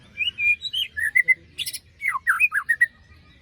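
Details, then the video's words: Lure song of a white-rumped shama for birds silent after moult: a lively run of clear whistled notes, some sliding down, with a harsh, high buzzy burst in the middle. "Pancingan murai batu macet bunyi paska mabung terbaru besetannya bikin ngilu!!"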